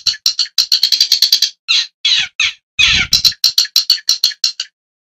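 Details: Long-tailed shrike calling: a series of harsh, grating, squawky notes in uneven bursts, some short and clipped, a few longer and rasping, the series stopping abruptly near the end.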